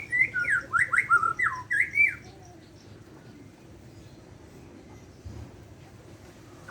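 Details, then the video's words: Borneo white-rumped shama in the morning, giving a two-second burst of fast, sharp up-and-down whistled notes, then near silence with low background rumble. "Kicau murai borneo di pago hari"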